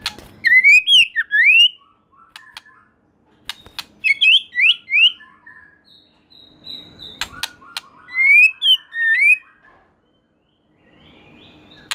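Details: White-rumped shama singing loudly in bursts: swooping rising and falling whistled phrases mixed with sharp clicks, separated by pauses, a thin steady tone between phrases.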